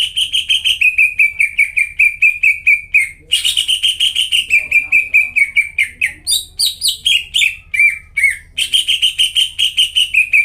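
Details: Greater green leafbird in full 'gacor' song used to coax quiet caged birds: long, rapid strings of repeated whistled notes, some stretches falling in pitch, broken by bursts of higher squeaky chips, over a steady faint hum.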